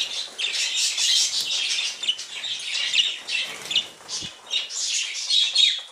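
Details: Budgerigar colony of tame birds chattering continuously, overlapping scratchy chirps and short warbled notes rising and falling in loudness, with a single soft low thump near the end.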